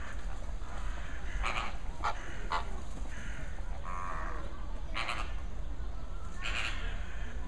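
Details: Greater and American flamingos in a group give loud, nasal, goose-like honks, about six spaced bursts over several seconds, above a steady low rumble of background noise.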